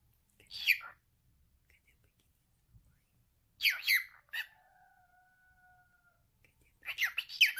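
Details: Pet male cockatiel talking: three bursts of raspy, chattering speech-like syllables, separated by quiet gaps, with a steady two-tone hum running between the second and third bursts.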